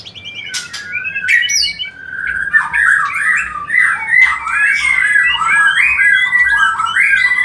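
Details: White-rumped shama song, played as a lure to bring birds into breeding condition: a rich, continuous run of warbled, slurred whistles, several sharp high notes early on, over a faint low hum.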